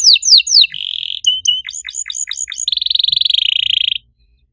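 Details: Canary master song to coax canaries that stopped singing; a few sweeping falling whistles, a short trill, clipped repeated notes, then a long steady rolling buzz before silence.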